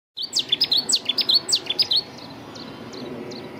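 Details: Cetti's warbler at UVA-park, 15 April 2020, bird not in view, begins with a loud call: a sudden two-second outburst of sharp, ringing notes, then softer high notes over faint hiss.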